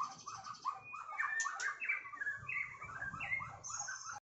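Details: White-rumped shama singing sharp 'tembakan' shots against an opponent: lower, mellow warbled phrases mixed with sudden high whistled notes, delivered in a lively, varied sequence before stopping abruptly.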